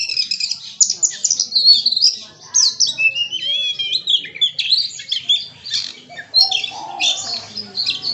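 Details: Kacer, the Oriental magpie-robin, pours out its isian repertoire in a dense, nearly unbroken run of high sweeping whistles, rattles and harsh chatters that shift constantly in pitch. Other birds can be heard faintly behind it.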